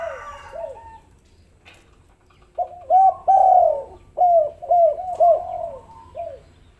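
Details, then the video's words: Spotted dove coos intended to lure reluctant doves into calling: a short faint phrase, then a loud run of low arched notes with a long central coo, and a final soft note. "pancingan maut tekukur derkuku malas bunyi langsung gacor"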